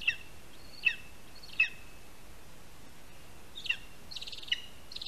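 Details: Lesser spotted eagle (Clanga pomarina) at its nest in a spruce in Latvia, 22 August 2021, 1:38 PM, as the first prey, a rat, is handed over on the tree. Sharp, high yelping notes that slide downward come at irregular intervals over a faint hiss.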